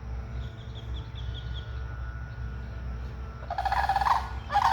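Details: Sandhill cranes, apparently unhappy about something, give loud, rolling, harsh harmonic calls in two bursts near the end, after faint, high, repeated chirps early on; a duck comes up for feed nearby and a person talks.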